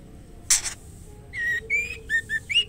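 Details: A female white-rumped shama calls the male with a short run of clear whistles, one long rising note followed by quick dipping and upslurred notes, after a sharp noisy burst, with steady low hum beneath.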